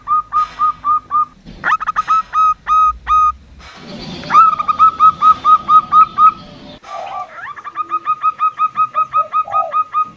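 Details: Calls of a local female zebra dove meant to lure male doves, captive or wild; long runs of short, clipped, evenly spaced notes at a steady mid pitch, separated by abrupt breaks and a burst of rough noise.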